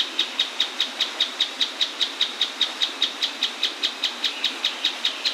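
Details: Mouse-colored tapaculo (Scytalopus speluncae) singing beside a waterfall in the Atlantic Forest, a small, hard-to-see bird. Evenly spaced, piercing high notes repeat about two and a half times a second against steady broadband water noise.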